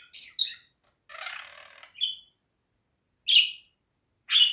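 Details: Pet budgerigar giving a few separate sharp chirps, a scratchy buzzing stretch and later two loud isolated contact-like notes, with silent gaps between them.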